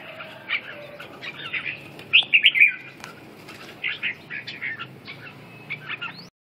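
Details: Red-whiskered bulbul producing a quick string of four loud, clear whistled notes amid softer scattered chirps, followed by further short twittering phrases before the sound cuts off.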